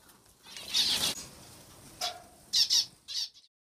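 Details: Zebra finches in an aviary give a few short, nasal, buzzy beeps, with two quick ones close together near the end, amid a soft flutter of wings.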